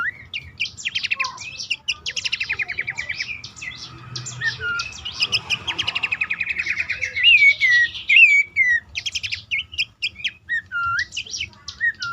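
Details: Lure call of Horsfield's babbler meant to get caged birds singing, for dawn or night use: dense chattering trills and fast repeated chips, roughly two per second, mixed with looping whistled slurs that grow louder midway.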